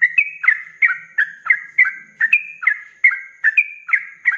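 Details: Cage-kept sooty-headed bulbul in energetic 'ropelan' song meant for training other birds: quick bursts of bright slurred whistles, each dropping then lifting, delivered roughly three times a second in a continuous stream.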